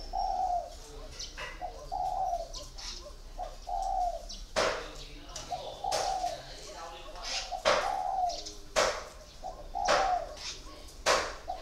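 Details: Spotted dove decoy bird, caged for four years, repeats short, low cooing phrases. Sharp clicks and knocks break in several times, and there are brief murmurs nearby.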